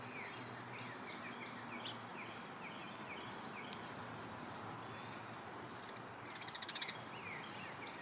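A Northern Cardinal sings in the background, a quick series of clear, down-slurred notes like "hiccup hiccup hiccup," with other birds chirping over steady outdoor noise.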